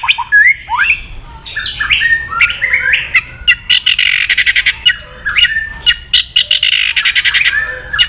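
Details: White-rumped shama, called murai batu, singing a loud varied song said to provoke aggression in other males: rich whistles, rising sweeps and rapid repeated chattering bursts, strident and full of harsh squawky notes.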